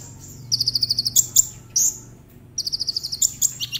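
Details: Konin, the brown-throated sunbird, sings to lure others into song: a rapid high trill of about eight clipped notes, then sharp squeaky accents, a pause, and the trill repeated, with faint low hum behind.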